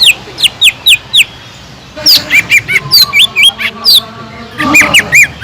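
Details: Cucak ijo (green leafbird) song used to stir up listless birds: a quick run of downslurred whistles, then an excited jumble of squeaky twisting notes and sharp chirps.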